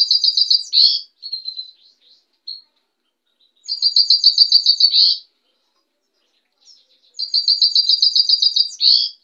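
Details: Song of a white goldfinch: rapid buzzy pulsed trills finishing in a twisting ringing note, alternating with short thin tinkles and brief silences.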